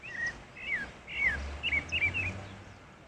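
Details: Pale-breasted thrush heard in the wild, giving quick, bright whistled slurs in close succession over a low steady hum.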